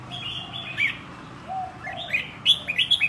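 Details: Red-whiskered bulbul, a caged wild-caught bird trained for a year toward contests, sings a quick run of bright, slurred whistled notes that build into loud sharp chirps at the end.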